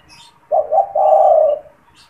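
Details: A spotted dove kept in a cage and used for luring wild doves gives one phrase: two brief soft coos, then a long steady low coo lasting over half a second, with light chirping behind.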